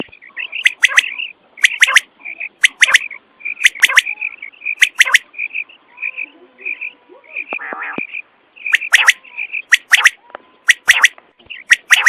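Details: Night lure calling for quail hunting: loud, crisp triple notes repeated about every second, interspersed with softer short paired chirps and a brief rougher burst midway.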